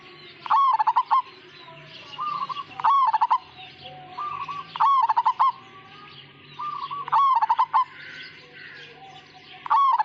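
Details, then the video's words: Melodious song of a Majapahit-type zebra dove, lacking the long 'kung' finish. Bursts of rapid rolling coos alternate with quieter trilled phrases over ten seconds, against faint high-pitched bird chatter and a constant low hum. "Suara Panggilan Burung Perkutut Majapahit Asli Gacor Dan Ngayer"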